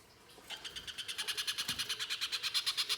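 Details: Little spiderhunter (pijantung pisang) singing vigorously in full rapid bursts, used as a lure to prompt other birds to sing: after a half-second pause, a fast, even series of sharp, high, harsh notes repeated about six times per second.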